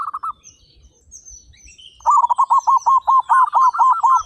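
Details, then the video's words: Actively singing local zebra dove with a big voice. A short rolled phrase comes first, then a pause, then a long rapid run of bubbling, trilled coos. Faint high whistles are heard in the background. "PERKUTUT LOKAL GACOR SUARA BESAR"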